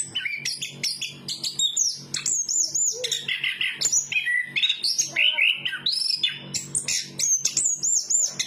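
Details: Chestnut-capped thrush (anis kembang) singing a dense, varied song of high whistled notes, sweeping slurs and quick chattering phrases with hardly a pause over eight seconds; a faint low hum runs beneath.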